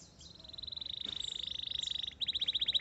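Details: Canary song with a long, rapid trilled rattle held at one pitch, then a louder, coarser stuttering trill near the end, over faint background hiss.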